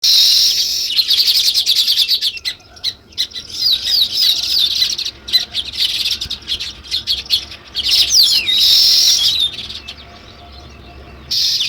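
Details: Sparrows chirping in a dense, busy chorus of short high notes, with brief pauses between bursts and a few quick descending twitters.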